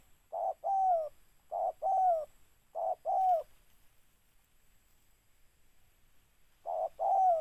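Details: Spotted dove giving mellow two-part coos: a brief note, then a longer falling coo. Three phrases come in quick succession, then a long silence before a fourth phrase.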